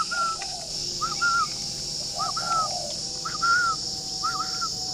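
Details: Morning cooing from a caged spotted dove at a breeding garden in Ba Vì, Hanoi, Vietnam, freshly awake. Four phrases come at uneven gaps, each a quick rising note leading into a sustained whistled tone, with steady hiss throughout.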